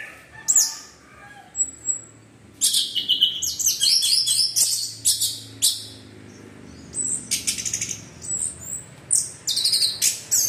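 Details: Orange-headed thrush (anis merah) in lively 'teler' style song meant to provoke other thrushes into singing; dense rapid bursts of very high chirps and trills in tight clusters, separated by short pauses.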